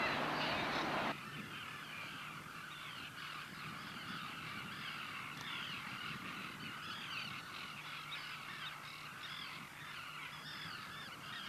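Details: Pallas's gulls wintering at the Kuma River mouth, Yatsushiro, Kumamoto, or in Bayankhongor, Mongolia: a noisy chorus of harsh, crow-like cries overlapping constantly from many birds, after a brief loud rush of noise at the start.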